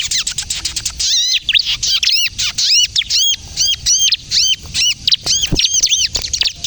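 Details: Bar-winged prinia (ciblek kristal), lively singer used as a lure and to spur other birds into song; opens with fast ticking trill, then evenly spaced high, arched double chirps.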